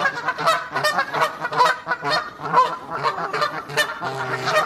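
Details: Goose family out on a walk, giving loud, nasal honks in a rapid, uneven series, roughly two per second, with overlapping calls from several birds.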